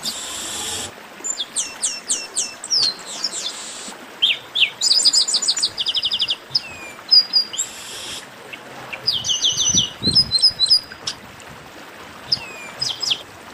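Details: Chestnut-capped blackbirds in a noisy group chorus, used to warm up other singing birds. High whistled notes, buzzy trills and quick rising slurs overlap in dense bursts with short pauses between them.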